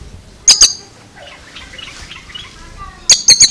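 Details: Oriental magpie-robin giving a strange sound: a pair of loud, rasping notes, a stretch of soft twittering, then a quick run of three more harsh notes.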